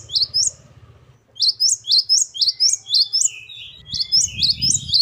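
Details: Great tit (gelatik batu) singing in a varied gacor style: after a short gap, a quick run of bright, high rising chirps, roughly four per second, over a low background hum.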